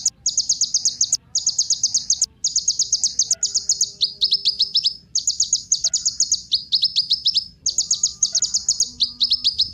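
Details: Song of the kolibri ninja, a sunbird, used as a lure to set other birds singing: rapid high ticking trills in runs of about a second, broken by brief pauses, steady and bright throughout.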